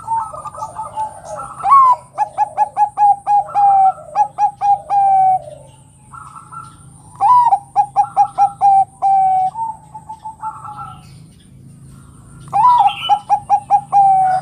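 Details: Bangkok zebra dove singing ngerot, its bekur song meant to stir other doves to call: three bouts, each a rapid stutter of about ten short notes rolling into drawn-out coos, over a steady high hiss.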